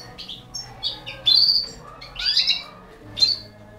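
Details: Goldfinch, subspecies balcanica, feeding four young canaries; a few sharp high chirps and a louder buzzy burst of tweets near the middle, then one more bright note, roughly once a second.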